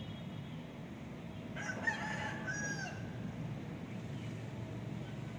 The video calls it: The sound of Cock-a-doodle-doo - เสียงไก่ขัน